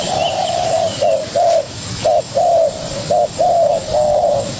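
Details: Young spotted dove fighting a decoy bird: one long, low coo, then a series of short, rounded hooting notes spaced about half a second apart.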